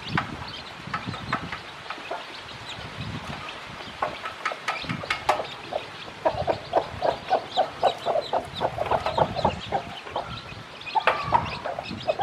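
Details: A mother hen with many chicks hatched from eggs, teaching them to eat: soft, quick clucks grow denser in the second half, mixed with scattered high chick peeps and faint background rumble.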